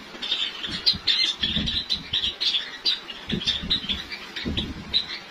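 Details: Caged white Java sparrows kept by breeders in Lahore, Pakistan, just before breeding season: a dense stream of sharp, high tweeting notes from several birds, overlapping almost continuously, over dull low bumps and rustling.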